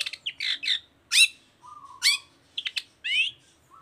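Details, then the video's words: Long-tailed shrike song, a lure meant to get other shrikes singing: quick chattering notes and bright upslurred whistles, a low flat tone, then a rising wavering phrase, all in rapid succession. "Suara Cendet Gacor Toet toet Efektif Anti Gagal Bikin Cendet Malas pun Langsung Nyaut Bunyi Seketika"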